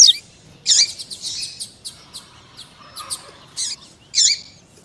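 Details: Coleiro tuí tuí female calling with male notes, used to stimulate a male to sing: a few sharp buzzy bursts spaced out, with soft clicking ticks between them.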